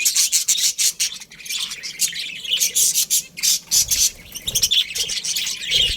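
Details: Colony budgerigars chattering loudly, quick pulsing bursts of high chirps and warbles overlapping almost without a break.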